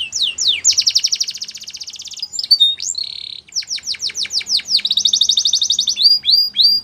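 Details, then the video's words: Canary in full song, alternating rapid rolling trills with series of loud descending whistles and a brief buzzy note, delivered almost without pause. "Canary Singing Most Beautiful Song Bird"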